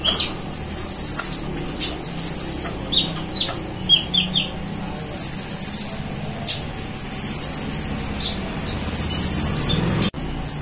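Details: Kolibri ninja sunbird in full, energetic song with imitations of the cililin bird and the golden grasshopper: repeated sustained high buzzy trills alternating with quick clusters of sharp twittering notes, all loud and continuous.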